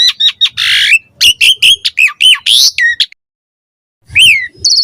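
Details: Javan pied starling song used to lure young starlings: harsh squawks and looping whistles in a quick burst, then a pause and a final drawn-out whistled note.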